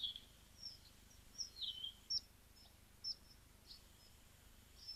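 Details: Mountain wagtail giving thin, sharp, very high chips and short twittering notes, spaced irregularly about every half second to a second, over a soft hiss.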